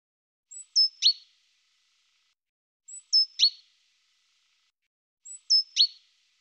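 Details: Calls of a great tit: a high thin whistle dropping in steps to a sharp downward flick, the same three-part phrase repeated three times about every two and a half seconds in silence.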